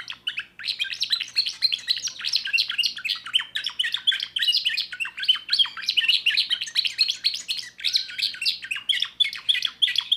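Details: Young timbrado canary in full song with a 2024 repertoire, a steady, fast stream of high chirped and trilled notes pouring out without pause for ten seconds, rich and rolling; faint low hum.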